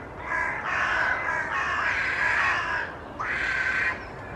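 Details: A gathering of Carrion crows in a large tree in Children's Wood, Hull, gives harsh, grating caws in long drawn-out rasps with overlapping voices. The birds were displaying, especially tail fanning, with no aggression seen.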